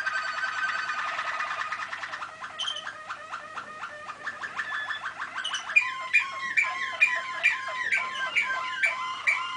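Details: Waterslager canary (Malinois) singing, recorded 2013: a fast run of repeated trilled notes at first, then a stretch of bubbling, water-like rolling phrases with clear harmonic tones, notes repeated rapidly and steadily.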